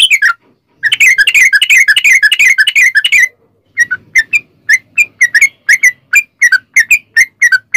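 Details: Rapid ropel song of a sooty-headed bulbul, played as a lure to prompt other bulbuls to sing; a long tumbling flurry of quick notes, a short break, then evenly spaced bright chirps continuing to the end.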